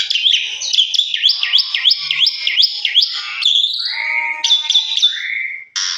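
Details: Indoor Asian pied starling song used as a lure to set other birds singing; a rapid series of looping, wavering whistles at about one per half second, then lower drawn-out slurred whistles and a sudden harsh note.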